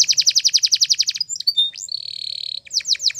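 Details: Spanish Timbrado canary in a morning song for training canaries: a fast pulsing metallic trill, short high whistles, a level buzzy tour, then quick chirps; a faint low hum beneath.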